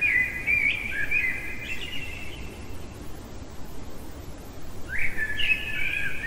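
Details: Blackbird song deep in the night, two warbled fluting phrases separated by a pause of about two seconds, each ending in higher twittering notes, over a constant low rumble.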